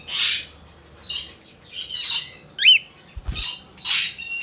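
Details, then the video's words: Hand-tame albino cockatiel chick in Fukuoka, Japan, 28 August 2023, giving noisy rasping squawks in separate bursts, with one brief thin whistled note in the middle and a soft low thump. "オカメインコ アルビノ ヒナ 手乗り"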